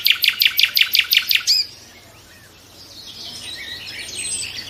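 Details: Loud rhythmic nightingale phrase of about ten evenly spaced, ringing repeated notes lasting over a second, then a faint distant warble in the quiet background.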